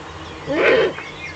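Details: Eurasian eagle-owl at a nest in the Eifel, dawn of 17 May 2013 at 05:40, a visiting owl off camera: one short, hoarse, rising-and-falling call lasting under half a second, with faint birdsong behind.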